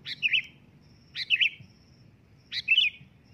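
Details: Sooty-headed bulbul calling loudly to provoke an answer: three lively, liquid chirped phrases roughly every 1.3 seconds, each starting with a sharp high note then a rolling twist.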